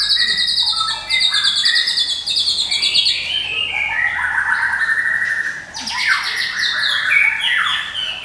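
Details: Medan white-rumped shama, kept as a songbird for luring and tutoring other birds, sings nonstop: fast repeated high trills, then descending slurred phrases and renewed bursts of rattling notes.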